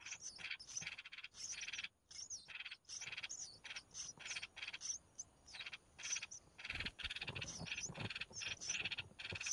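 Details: Red-whiskered bulbul chicks begging while being fed by their mother: dense, overlapping buzzy rasps and high chirps, with brief pauses and a louder rustling burst near the end.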